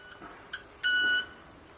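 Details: A South American Club-winged manakin gives a couple of soft ticks, then a loud, pure, violin-like ringing note held about half a second, made by rubbing its wing feathers during courtship displays to attract females.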